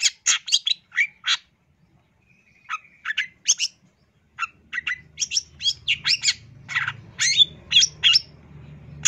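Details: Long-tailed shrike giving a varied song: rapid, sharp chirps, a thin drawn-out whistle, then a lively stream of scratchy and whistled notes over a low background hum.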